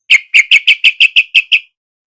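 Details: Lure recording of a caged yellow-vented bulbul for a reluctant singer: nine very loud, sharp, clipped notes at an even, rapid pace, each with a short ringing tail, followed by silence.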